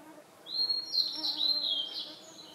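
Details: Blue-and-white flycatcher singing in Khingan Nature Reserve, Amur Region, Russian Far East: a high, thin warbled phrase of sweet whistled notes lasting about 1.5 seconds over faint hiss; oriental cuckoo and Siberian blue robin in background.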